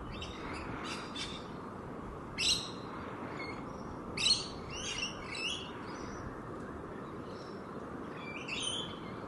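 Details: Wild rainbow lorikeets playing on the grass give short bursts of sharp, high chirps and screechy notes in scattered clusters over a steady low background hum.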